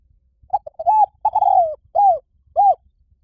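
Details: Spotted dove calling one complete phrase: quick stammered opening notes, a long rough coo, then two rounded descending hoots about half a second apart, clear and close.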